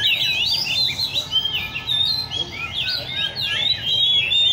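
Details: Caged Oriental magpie-robins at a bird cafe in Lê Thị Riêng park, where enthusiasts gather with their birds. Overlapping rich whistled phrases rise and fall continuously, with several birds singing at once over a low background hum.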